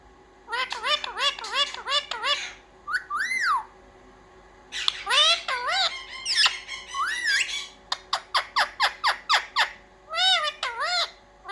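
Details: House parrot learning to speak "mummy papa" gives bursts of arched, squawky, speech-like syllables, a mid-clip pause, then a fast rhythmic series of short clipped calls.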